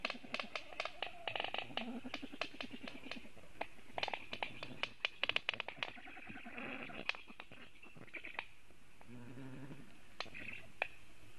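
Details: Black stork at a nest webcam in Latvia, 27 July 2018 at 10:11, defending the nest while a raptor is nearby. Rapid dry clattering bursts mix with low, hoarse, drawn-out calls in repeated sequences.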